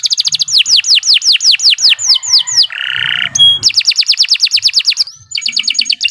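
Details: Canary giving a long training song: a quick series of falling whistled notes, a low nasal buzz, then further rhythmic descending notes and a closing trill.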